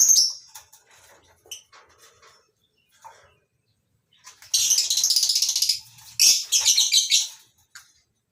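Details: A morning lovebird colony aviary holding masked and Fischer's lovebirds; a few isolated shrill chirps, then two long, loud bursts of fast, harsh chattering notes, each lasting over a second.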